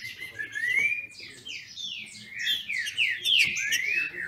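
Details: Captive green-winged saltators in Brazil singing competitively: fluid, sliding whistles over a steady background of low murmuring noise.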